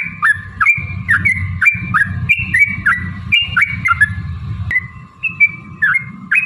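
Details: Trucukan, or jogjog, song used as a lure to set other birds singing: repeated whistled notes, each dipping then rising into a short flat tone, given roughly twice a second, over a steady low hum.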